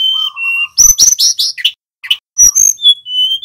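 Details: Male mountain tledekan, a flowerpecker, in energetic song: steady high whistled tones, a burst of rapid buzzy notes and clicks, then whistled notes that step downward.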